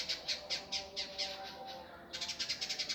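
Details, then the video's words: Indigo bird in a master recording for training birds: spaced harsh high notes speeding up into a dense, fast, rough rattle after two seconds. "masteran burung indigo gavor kasar speed rapat"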